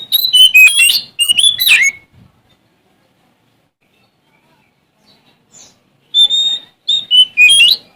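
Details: Male Oriental magpie-robin from Sumatra singing to face down rivals: two quick bursts of chattering, whistled notes, a long quiet pause, then bright sustained whistles and rising slurred phrases.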